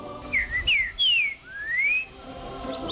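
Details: Green-winged saltator in Caldas, Minas Gerais, 2011, in forest fragments where it is recovering from cage-bird trapping, sings four clear, slurred whistles rising and falling over about two seconds above a steady high hiss; Green-winged saltator.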